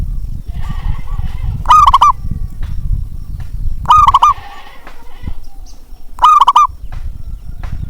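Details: Zebra dove cooing as a lure to get lazy doves singing: three loud, rolling, stuttered coo phrases about two seconds apart, faint softer cooing before the first, and a steady low rumble underneath.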